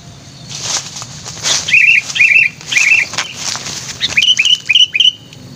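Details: Sooty-headed bulbul lure bird (kutilang), described as energetic and highly vocal, repeats a clear whistled, slightly bubbling phrase several times about every half second, loud and close, with scratchy flutter sounds early on.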